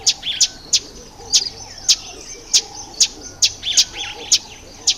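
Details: Red bishops at a breeding site in reeds over water, males in black and red plumage; crisp high clicking notes repeated roughly every half second, mixed with short chirps and thin whistled slurs.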